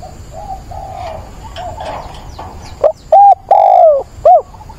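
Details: A decoy spotted dove is kept caged and coos to attract a mate on 17 September. Softer distant cooing fills the first seconds. Then comes one loud close phrase of brief note, short coo, long drawn falling coo and a final sharp coo.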